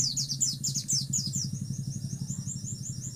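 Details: White-eye song of rapid high sweeping notes repeated about four per second, over a steady low engine-like hum.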